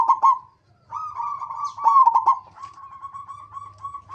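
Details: Zebra dove of a local strain singing as a lure for other zebra doves: a short coo burst, a pause, then a long rolling phrase of quick beats that fades into a steady drawn-out trill over a low hum.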